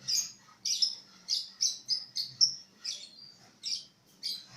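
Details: Bird singing vigorously: a steady run of about ten sharp, high chirps, some clipped and some slightly drawn out, spaced roughly every half second over a faint low background hum.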